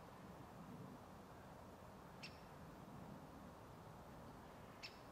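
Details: On 18 December 2022 at Žale cemetery in Ljubljana, a great spotted woodpecker gives two sharp, high 'kik' notes about two and a half seconds apart, over a steady low rumble of distant traffic.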